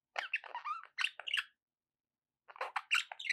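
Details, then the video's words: Budgies warbling in two bouts of fast, varied chatter, mixing squeaky trills, clicks and short whistled notes with a brief pause between. "budgie sounds to encourage your parrot to eat and sing"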